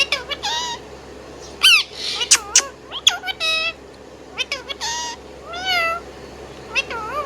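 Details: Pet Indian ringneck parakeet singing, with sharp clipped chirps mixed with wavering, harmonic, nasal whistled notes. Short bursts come in irregular clusters with brief pauses between them.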